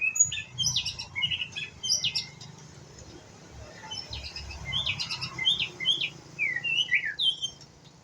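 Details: A young white-rumped shama learning to sing delivers a busy run of short chirps, trills and quick whistled slurs in two bursts separated by a quieter gap, over faint low hum.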